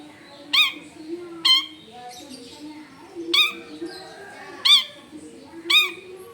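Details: Screaming long-tailed shrike near houses in a crowded area: five loud rasping screeches, each brief and sharply attacked, repeated about once a second with short gaps, faint softer notes and low background murmur between them.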